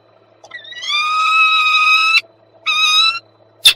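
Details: Peregrine falcon visiting its nest in Słupsk on 26 March 2022; a long, harsh, nasal wailing note lasting over a second, then a shorter matching wail, and a sharp click at the end.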